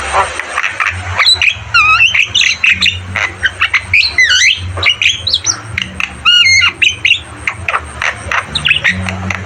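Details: Javan myna (jalak kebo) in energetic song for training caged birds: fast mix of buzzy chatter, stacked wavering whistles and sharp squawks in tight bursts, over a constant low hum.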